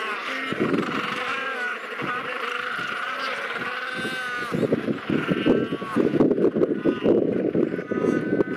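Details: Royal penguins recorded on Macquarie Island in the sub-Antarctic: drawn-out harmonic brays give way to loud, rapid throbbing pulses about once a second, several birds calling together over constant background roar.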